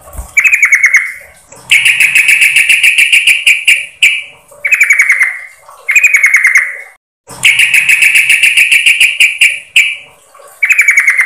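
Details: Female yellow-vented bulbul calling to the male: loud, harsh, rapid chattering bursts, each ending in a buzzy drawn-out note, repeated every second or two with brief pauses.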